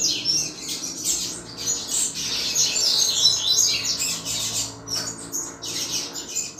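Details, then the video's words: Double-collared seedeater delivering its chuva song, a style used to stimulate other males. The high warbling is hurried and jumbled, with notes tumbling together, over a faint steady hiss. "Canto Chuva de Coleiro Top Para Esquentar Qualquer Coleiro"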